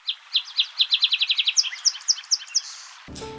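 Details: Song Sparrow song, which is sung all year, typically 3 to 4 distinct notes then a trill: a quick run of bright, high chipping notes, then a few slower, clearer notes. A brief unrelated tonal sound cuts in at the end.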